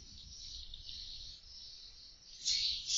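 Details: Swiftlets chattering inside a two-storey swiftlet house, picked up by an indoor CCTV camera: a steady stream of high, dry, buzzy twittering that swells loudly near the end.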